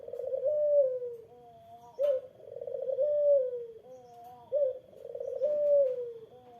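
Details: Eurasian collared dove calling to provoke an opposing bird: evenly repeated three-part coos, a purring swell sliding down, then a level double-toned note, cycling about every two and a half seconds.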